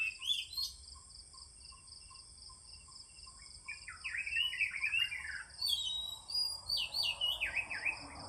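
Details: Oriental magpie-robin singing in the morning: varied whistled phrases with rising and falling slurs, some buzzy notes, a steady high insect-like drone throughout.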